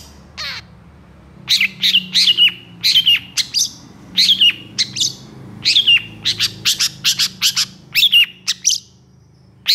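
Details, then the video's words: Long-tailed shrike singing excitedly in long bursts, intended to tutor stressed shrikes. Steady series of short sharp chirps, mostly paired, repeated roughly twice per second, over a low background hum. "SUARA PENTET GACOR EMOSI TEMBAKAN PANJANG"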